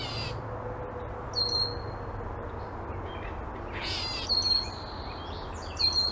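A catbird gives harsh, scratchy bursts and thin, high whistled notes at irregular intervals over a steady low rumble of background noise.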